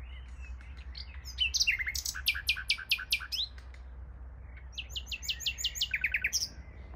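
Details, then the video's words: Nightingale singing beside a bike path, heard while cycling: loud bursts of rapid, repeated sharp notes in short phrases, with whistled slurs between them and a steady low rumble underneath. "Nightingale singing"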